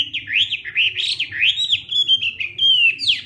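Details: Hwamei practising its morning contest song: a quick series of loud, rich whistled arcs and slurs rising and falling in pitch, with a few sharp high notes, steady low hum underneath.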